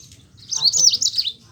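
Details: Rolling 'ngeroll' song of a Yellow-fronted canary, played to spur quiet Mozambique canaries into singing: one short, bright burst of high warbled trills lasting under a second.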